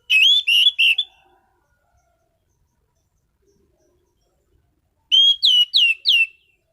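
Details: Anis cendana orange-headed thrush, a contest-grade caged singer. Two phrases, each of four strongly repeated whistled notes, about four seconds apart. The notes in the first are level, and those in the second are sharp and downslurred. The background is silent.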